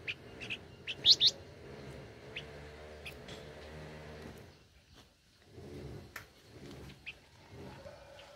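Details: Very tame blue-winged minla uttering brief high chirps: a few scattered notes, then a loud quick double chirp, followed by faint sparse notes against a steady low rumbling background.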